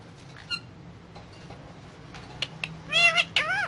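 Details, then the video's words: Indian ringneck parakeet eating guava: mostly quiet soft ticks and clicks, ending with two short loud nasal calls made of stacked arching notes. "Indian Ringneck Parrot talking and eating guava"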